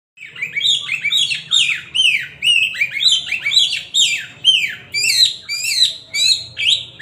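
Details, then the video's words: Oriental magpie-robin singing loudly, a fast run of bright, downward-slurred whistled notes repeated about twice a second, each with a buzzy tail, continuing steadily without pause. "siulan kacer ini kenceng"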